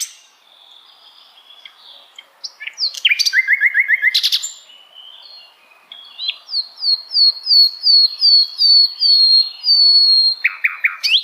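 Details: Sikatan Londo flycatcher, heard in various situations, gives a short burst of buzzy chirps and a fast trill, then after a pause a long series of clear, evenly spaced whistled notes that slowly fall in pitch.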